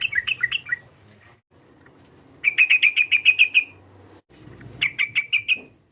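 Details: Sooty-headed bulbul rival-provoking call: a few warbled notes, then a fast, even series of about a dozen sharp chirps, followed by a shorter matching series, with low background rumble.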